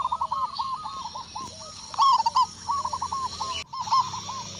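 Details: Local zebra dove from Indonesia with a big voice answering a lure: soft stuttering coos building to a louder rolling phrase around the middle, then quieter cooing notes, over light background hiss.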